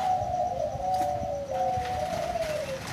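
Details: A big-voiced zebra dove at a bird farm gives a steady, soft, trilling coo that wavers in pitch and dips lower near the end, over a faint background hum.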